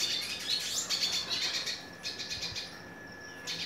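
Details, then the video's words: Hooded siskin singing at length: rapid, bright twittering phrases high in pitch, chirps repeated about two or three per second with buzzy trills, brief pause then resuming. "Pintassilgo da terra catando muito"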